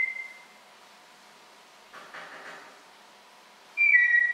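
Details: A pet African grey parrot, recorded close up, gives a clear, steady whistle, then a soft breathy rustle, and ends with a bright two-note whistle dropping slightly in pitch.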